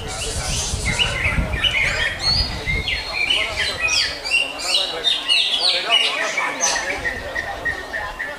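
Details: Captive greater green leafbird (cucak hijau) singing a dense, rapid medley of sharp chirps, whistles and slurred notes, continuous and busy, with low rumbling background noise early on.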